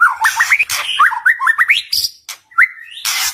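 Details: White-rumped shama song played to provoke rival shamas into singing, making silent birds respond; quick rising slurred whistles in groups of three, interleaved with harsh, noisy chattering bursts and a sustained high buzzy phrase near the end.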